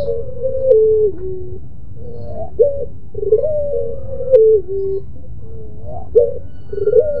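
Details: Barbary dove of pelung type in a repeated moaning song. Several drawn, wavering hoots, each sagging downward, are separated by short pauses. Faint clicks and a low hum sit behind.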